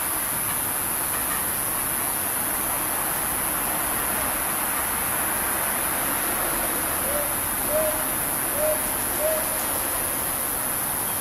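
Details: Female northern boobook, 11 May 2021, answering/calling to her mate, which flew off from beside her: soft, low hoots in quick pairs, two pairs late in the recording, over steady rain-like hiss.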